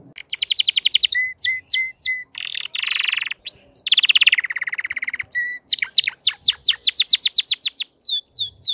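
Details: Crested canary song with rapid repeated high notes, steady whistled phrases, a dense buzzy trill held for about a second, a rolling rattle, then a quick series of steep descending sweeps.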